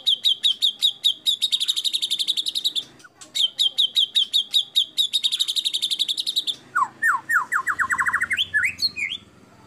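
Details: Actively singing white-rumped shama, a lure recording to make other shamas sing: rapid volleys of short high repeated notes in two long runs, then a quick rising series of lower slurred notes.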